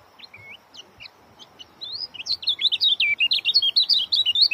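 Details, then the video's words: Oriental white-eye delivering a dense short-speed song. Sparse, thin chirps lead into a loud run of quick, high, warbling whistled notes packed closely together for the last two seconds. "joss rapat.. bikin kecial kuning lain ikut ketar ketir"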